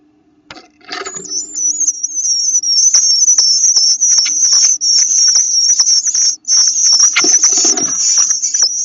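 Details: Eastern bluebird nestlings whose eyes have started to open, peeping with a new sound: a continuous high, thin, wavering trill of overlapping peeps with little pause, plus soft rustling and scratching in the nest.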